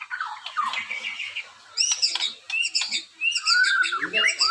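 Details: White-rumped shama from Borneo singing bright, varied chattering phrases with quick high whistled notes and rising slurs, some sharp clicks, and faint low voices at the end.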